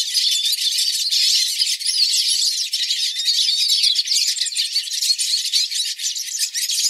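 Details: Hooded siskin flock in a frenzied chorus of song, played for training pet birds: dense, overlapping high twittering and chirps that run without pause, with quick trills and scratchy notes throughout.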